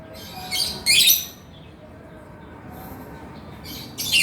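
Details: Male lovebird singing in 'gacor' style, with 'ngekek' chattering. Two close shrill rasping bursts come early, then a long quiet pause, then further scratchy high chatters toward the end.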